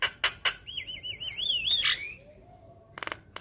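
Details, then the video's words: Javan myna lure song to make lazy mynas respond: sharp harsh clicks, then a wavy warbling whistle gliding upward, followed by a few more rasping bursts. "Pancingan Jalak Kebo Malas Bunyi Langsung Nyaut Saat Dengar Ocehan Suara Khas Jalak Kebo Manggut2"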